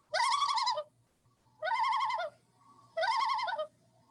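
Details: Common loon (Gavia immer) tremolo call: three quavering, laughing bursts, each under a second long, spaced about a second apart, over a faint low hum.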